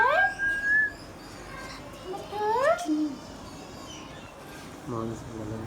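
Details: Hand-tame pet Indian ringneck parakeet talking: short speech-like phrases with smooth rising and falling tonal sweeps, a held note near the start, then a burst of stacked, voice-like syllables toward the end.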